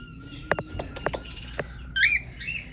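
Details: A young cockatiel, one of three brothers, gives a run of short, scratchy chirps, then a rising, curling whistle.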